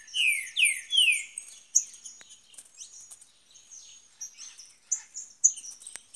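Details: Green-winged saltator in the bush opens with three strong, buzzy-edged phrases, each sliding upward, then falls quiet while thin, high chirps and twitters from other birds continue.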